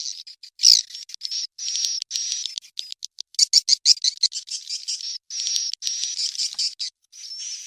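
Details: Swiftlet chick calls for drawing swiftlets to roost: fast, high chirps and short buzzy twitters in uneven clusters, with a thin sustained whistle in several stretches.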